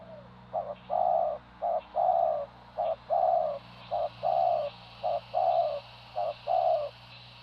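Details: Spotted dove cooing: a steady series of soft, low, hollow coos in short and longer notes, repeated in a regular rhythm of about one phrase every second, with faint background hum.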